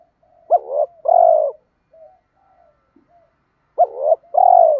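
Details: Cooing of spotted doves, used to goad lazy birds into calling back, male and female included: two loud phrases of a hooked rising note then a long rolling, purring coo, separated by quiet murmured notes.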